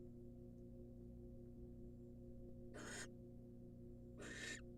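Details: Female barn owl, wild, at a nest box while the male brings a rat; two harsh, airy hissed screeches about a second and a half apart, after a quiet stretch of low electrical hum.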